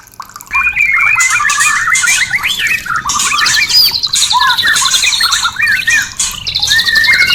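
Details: White-rumped shama singing to encourage breeding and mating, a brief quiet start, then a rich run of looping whistles, sliding notes and rapid high trills that continues to the end.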